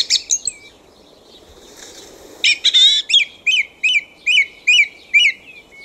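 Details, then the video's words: In a back garden after dark a thrush repeats one ringing note-pair about six times in a row after a jumble of squeaky phrases, faint hum in the background. "Bird Sound Songs of the Thrush"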